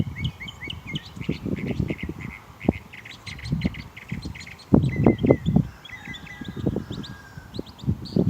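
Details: Bird outside beside a garden being tilled, singing without pause and mimicking other birds: fast, varied chirps and short whistled notes, roughly four per second, with some slurred whistles. Loud low rumbling and thumping noise throughout.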